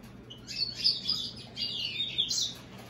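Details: Brief burst of high, fast twittering from a hybrid of American goldfinch and European greenfinch, chirps running together into a short warble, with a faint low hum.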